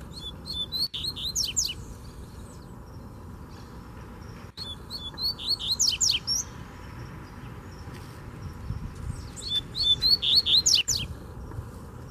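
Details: A free coleiro, the Double-collared Seedeater, sings aggressively at a caged rival in Brazil. Three quick phrases of clear whistled slurs and descending buzzy strokes recur every few seconds, with brief clicks and a low hum underneath.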